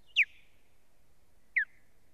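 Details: Osprey female at her nest on a live nest camera, 1 May 2017, while strange ospreys attack her: two loud, sharp whistles slurring steeply downward, about a second and a half apart, over quiet background.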